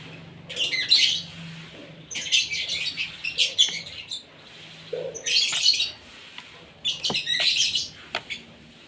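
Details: Asian pied starling, fed in the morning so it sings well; loud harsh chattering phrases in four groups, scratchy and buzzy, with a faint low hum underneath.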